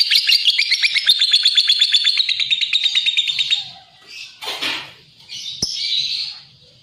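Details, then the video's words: Lovebird gives a fast run of high chirps for about three and a half seconds, then falls quiet apart from a noisy rustle, a click and a few soft high squeaks. "Suara Kicau Burung LOVEBIRD"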